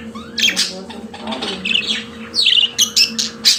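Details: Domestic budgerigar warble: brief rasping chirps, a soft low murmur, then a run of bright, clicky, buzzy notes at the end, with a steady background hum.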